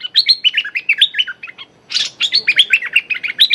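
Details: Streak-eared bulbul used as a trapping decoy, calling at a captive young female. Fast bubbly chatter of whistled notes, a brief pause, a harsh rasping burst, then the chatter resumes.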